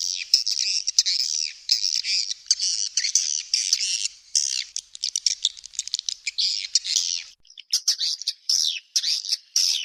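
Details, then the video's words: Swiftlets giving high, buzzy chattering chirps in long unbroken runs, then separated into shorter bursts with gaps toward the end. "suara walet"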